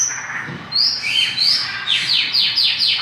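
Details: Mongolian lark singing strongly (gacor): rising whistled notes followed by a quick series of five or six sharp descending chirps, high-pitched and bright.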